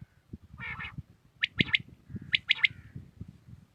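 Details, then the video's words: Two quick three-note phrases from a common quail at early morning in Pakistan, preceded by a short buzzy chatter and set against soft low background rumble. "Batair Ki naye Awazay| New Common Quail sounds| Batair Ki Awaz | Quail singing early morning in pak"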